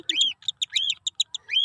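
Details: Cockatiel on its first free flight: quick bursts of chirps and rising whistled notes, several short chips in a row, ending on an upward whistle.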